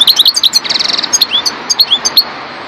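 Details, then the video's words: Song of a parva goldfinch: quick clustered chirps, a short buzzy trilled burst, then sparser rising twittered notes spaced a fraction of a second apart, high-pitched and metallic, over faint hiss. "chardonneret parva"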